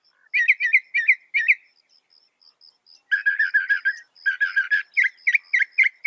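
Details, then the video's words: Northern mockingbird, said to reproduce up to 200 sounds, switching styles: a run of chirped notes, soft thin whistles, a fast buzzy stuttered series, then sharp clear downslurred chips at the end. "Masteran suara burung NORTHERN MOCKINGBIRE bisa merekam 200 suara"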